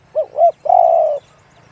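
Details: One phrase from a spotted dove in the 'one kuk, big voice' song style: a pair of quick arched coos, then a sustained deep coo lasting about half a second. The background is quiet.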